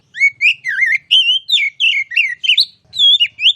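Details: Kacer gacor ngeplong song: a continuous stream of twisting, warbled whistles rising and falling, with a soft low rumble underneath.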